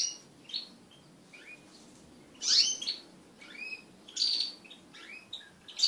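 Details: Pet crested canaries mating together, with varied high chirps and short whistled slurs in scattered bursts, some rising and some falling, over a faint background hiss.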